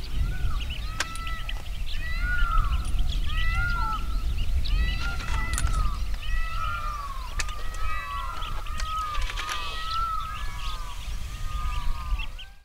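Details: Blue-cheeked bee-eater (Merops persicus), a pair calling. Many short, arched, down-slurred notes are repeated in loose overlapping bursts, over heavy low rumbling wind or traffic noise with scattered clicks.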